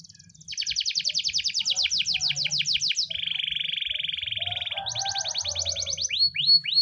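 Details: Spanish timbrado canary morning training song: a rapid run of falling chirps, a steady buzzy rolled trill, then a faster trill and a few separate upswept whistles.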